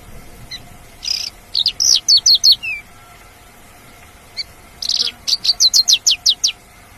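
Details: Lark singing in the wild: a harsh buzzy note followed by a rapid run of clear, high, twittering chirps, repeated twice with a pause between the phrases.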